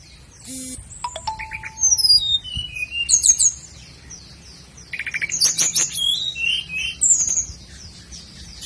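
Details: Sikatan londo flycatcher song as training material for caged birds: a quick buzzy burst, a flat low tone, then long cascades of high downslurred whistles and chattering trills, repeated in waves.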